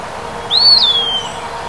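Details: Eastern wood-pewee, a flycatcher, singing its loud summer song: a single clear slurred whistle that rises briefly, then glides downward and fades, over faint steady background hum.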